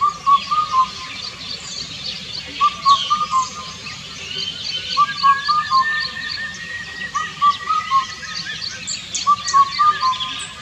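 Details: Repeated four-note whistled song of the Indian cuckoo, the Vietnamese bắt cô trói cột. Five phrases evenly spaced about two seconds apart, with a thin drawn-out whistle and scattered chirps from other birds behind.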